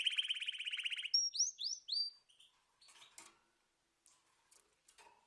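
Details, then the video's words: Canary giving a rapid buzzy trill, then three or four loud rising slurred whistles. Quiet scattered clicks and faint noises follow. "طيور كناري تغريد"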